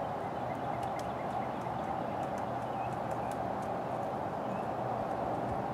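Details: Downy woodpecker pecking at a dead branch in a park, with soft, irregular taps in uneven bursts, half buried under a steady broad rushing background noise.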